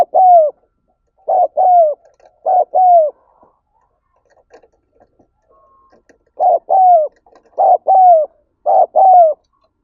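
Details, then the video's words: Spotted dove call for stimulating other birds: three double coos, a pause of about three seconds with faint ticks, then three more short-then-long falling coo phrases. "Tiếng Chim Cu Gáy Thúc Gáy Gọi"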